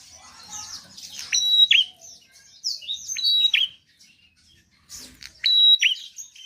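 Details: Prenjak, the Bar-winged prinia, singing in two loud bursts of high, clipped notes. Each note is a held whistle that snaps downward, and a quiet gap of about a second falls between the bursts.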